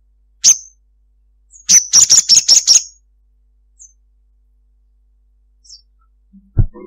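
A ruby-cheeked sunbird gives a thin, very high single note, then a quick chattering run of about six sharp notes, followed by faint scattered chips and a soft thump.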